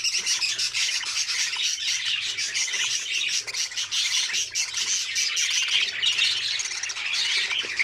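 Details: Budgerigar chicks in an opened nest, feeding one another, giving a dense, continuous chorus of raspy, high-pitched chattering calls with no pauses.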